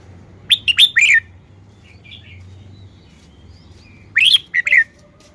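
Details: Red-whiskered bulbul showing its song style: two fast phrases of clear, ringing whistled notes with downward slides, separated by a quiet pause with faint softer notes.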